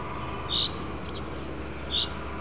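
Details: In the afternoon, a common chaffinch gives its call: two short, bright 'pink' notes about one and a half seconds apart, over a low steady hum and faint background noise.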